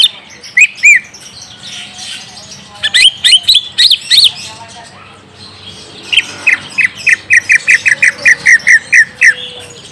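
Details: Greater green leafbird (cucak ijo) lure song for coaxing a young untrained bird to respond: a few arched whistles, a jumble of high notes, then a long, quick series of short repeated whistles.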